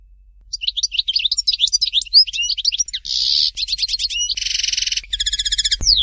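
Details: European goldfinch song of the Dalya "Fort de l'eau" style, a continuous varied medley of quick high twitters, a buzzy nasal note, fast repeated trills and a harsh rattling passage, ending in a sharp downward-sliding whistle.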